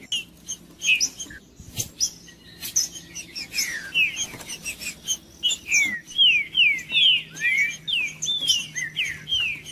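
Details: Green-winged saltator singing to warm up a cold bird, starting with scattered chips and clicks, then a run of loud whistled downslurs and upslurs repeated about twice a second.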